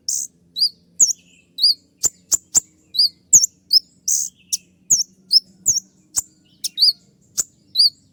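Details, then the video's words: Kolibri ninja sunbird delivering shrill 'tembakan' shooting notes for cage-bird training. High, hooked whistles alternate with sharp ticks, about two to three notes a second in an uneven rhythm, over a faint low hum. "masteran kolibri ninja dengan full suara tembakan"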